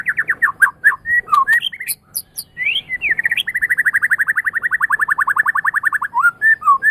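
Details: White-rumped shama song recorded as tutor material for other songbirds: varied slurred whistles and high squeaks, then a long, fast rattle of repeated notes, about four per second, before closing whistles.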